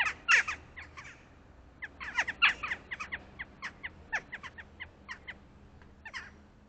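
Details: At 7:15 AM, a mated pair of crows begins the day with a duet of harsh, rasping caws, calling for peanuts at a feeder. Short bursts come in loose clusters every second or two against a quiet background.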